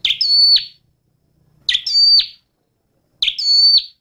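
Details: Repeated flowerpecker phrase heard three times, about every one and a half seconds: a quick chip, a held high whistle, and a falling end note, otherwise quiet.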